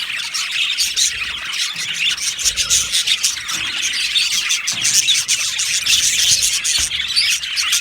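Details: Aviary budgie colony on 15 July 2025: busy high chirping from many birds, broken by sharper squawks and short squeals that rise and fall in loudness.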